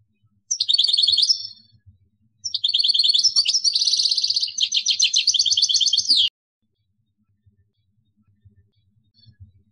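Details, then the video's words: European goldfinch kept in a cage, singing kadouss-style song from Algeria: a brief twittering phrase, then a longer run of fast liquid trills and buzzy rattles lasting nearly four seconds, followed by silence with soft low knocks. "مورصو قادوس | extrait chant kadouss"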